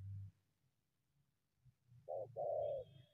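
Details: Wild spotted dove approaching a decoy from the undergrowth, heard as two short low coos near the end, the second longer, after a dull thump and quiet background rumble.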